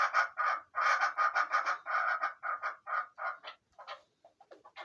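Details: Chukar partridge, a hunting bird offered for sale, gives a fast series of hoarse, chuckling notes, about three per second, which break up into scattered shorter clucks at the end.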